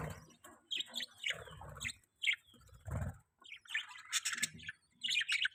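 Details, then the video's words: Budgerigar chirping softly: varied warbled notes and squeaks, some sliding up and down, with low murmuring background sounds. "budgie chirping sound"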